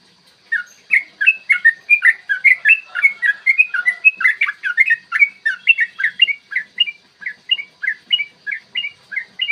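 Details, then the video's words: Long rapid fighting song of a yellow-vented bulbul, recorded in the morning as a lure to make other bulbuls sing and get worked up: a fast, unbroken string of liquid, warbled notes rising and falling, continuing steadily for about nine seconds. "trucukan gacor TARUNG ROPEL PANJANG pancingan trucukan agar BUNYI dan EMOSI"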